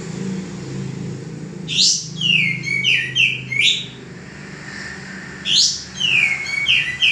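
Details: Singing male common iora used for cage-bird training: two phrases, each opening with a steep rising note and followed by several falling whistles, over low background rumble.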